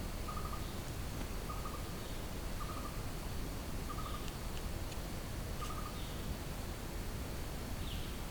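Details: Blue-throated barbet singing in the jungle: a short note near mid pitch repeated about every second, with a faint high chirp now and then over a strong steady low rumble of background noise.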